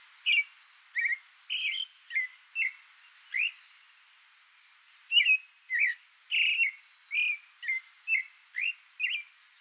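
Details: Creamy-bellied thrush (Turdus amaurochalinus), song.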